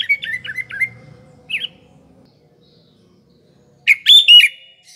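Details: Sooty-headed bulbul used as a lure for morning, afternoon and night, with a few soft quavering notes at first, then silence and a loud bubbly, slurred phrase near the end.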